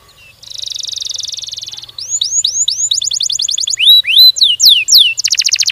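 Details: Canary song opening with a long buzzy rolling trill, then repeated rising whistled hooks, a rapid pulsed trill and swooping looped whistles ending in a fast high trill.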